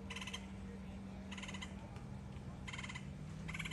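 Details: Juvenile red-headed woodpecker (Melanerpes erythrocephalus) calling from a tree: four harsh, raspy, rattling calls, each about a third of a second long and about a second apart, over a low steady hum.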